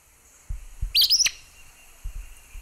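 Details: Acadian Flycatcher (Empidonax virescens) at Sonso Lagoon near Buga, Valle del Cauca, Colombia, giving one sharp, explosive, high two-part peet-sah note, rising then snapping upward, with a few soft low thumps before and after.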